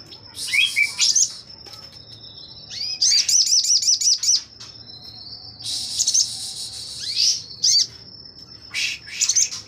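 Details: Actively singing Sogon, a tutor bird for magpie robins, opening its wings: high chirps and a quick series of repeated sharp notes, buzzy bursts and pauses, over a steady thin background tone.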